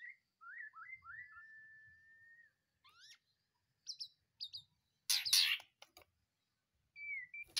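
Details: White-rumped shama in a cage, fresh from the breeding pen and singing: opening with linked whistled slurs and a long level whistle, then scattered high chips and a loud harsh burst, ending on a short whistle.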